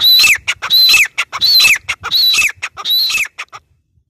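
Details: Grey francolin (teetar) giving five loud, harsh, ringing calls about half a second apart, each with a sharp bright edge, ending in silence.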